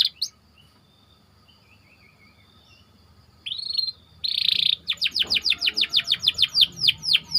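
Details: Training song from a white canary: a quiet, sparse opening with faint chirps, then buzzy bursts, followed by a regular run of rapid downward whistled sweeps.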